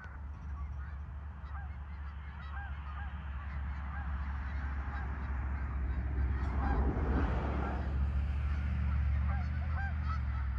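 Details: Farm park geese on 10 November 2024 honking in a busy chorus, short rising-falling calls repeated quickly, with a heavy low rumble that swells midway.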